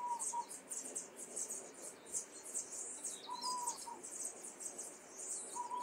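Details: Caged young common starlings in Liepāja, Latvia, May 2024, give a steady high chattering of chirps and squeaks, while a clear whistled note recurs about every three seconds over a background of urban noise.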